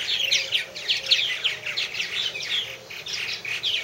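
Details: Several purple martins at their nest houses produce a loud, continuous warbling chatter of chirps and rolling gurgles, many voices overlapping.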